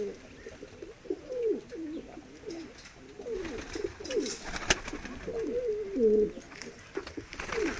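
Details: Several medium-sized diving tumbler pigeons keep up soft, rolling mid-pitched cooing, with overlapping wavering phrases throughout and one sharp knock in the middle.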